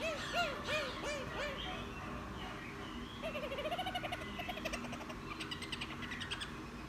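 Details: Newly caught wild laughingthrush, kept about ten days and settling in, singing more readily after bathing: wavering whistled notes near 600 then rising warbled phrases, later a run of rapid repeated high chirps.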